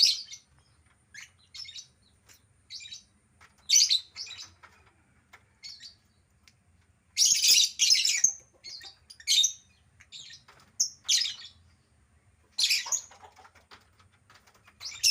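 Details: Albino lovebird chattering in irregular loud shrill bursts mixed with short high chirps, some bursts long and rasping, over quiet background hum.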